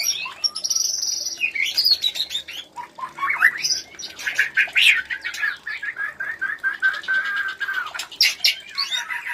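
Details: White-rumped shama mating sound used to stir other shamas to breed: rich, varied whistles and harsh chattering notes, some sustained high tones early, then rapid repeated phrases.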